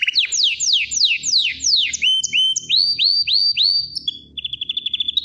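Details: Canary song: rapid sweeping downward whistles, then rising slurred notes repeated several times a second, ending in a fast even trill on one pitch.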